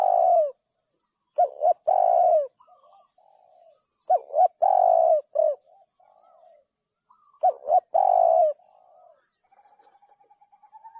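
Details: Spotted dove giving three loud cooing phrases about three seconds apart, each two clipped rising notes and then a long, even coo ending in a shorter note, with faint softer cooing filling the gaps.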